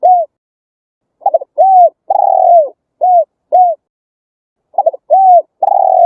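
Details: Spotted dove cooing, played to lure and train wild doves in Vietnam: warm low coos repeated in rhythmic phrases, a quick stuttered note, then rounded falling coos and long sustained notes, nothing else heard.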